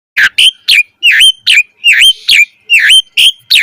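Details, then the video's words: Asian pied starling in lively, fast 'mompa' singing with full variation, used as a lure to get other birds singing: loud whistled notes, each dipping then rising, about ten in quick succession. "Pancingan Jalak Suren Gacor Cepat MOMPA Full Variasi"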